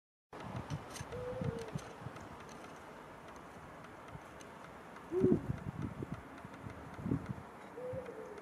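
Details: Eurasian eagle-owls after sunset: a few low, short hoots spaced several seconds apart, one clearer in the middle and two fainter ones near the start and end, over steady background rumble and scattered faint clicks.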